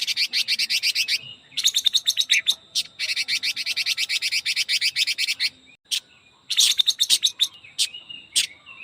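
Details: Chinese hwamei of the quế lâm type singing the very fast 'ché kích bổi' style: dense bursts of rapid, buzzy, high repeated notes, each run lasting about a second, separated by short pauses and a few sharp single chips.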